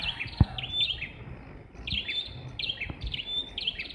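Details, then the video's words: Apparently two red-headed prinias singing in a jackfruit tree give short, high chirpy phrases with a thin rising whistle, repeated about every second, over low knocks and a soft murmur. "Prenjak Kepala Merah Suara Gacor"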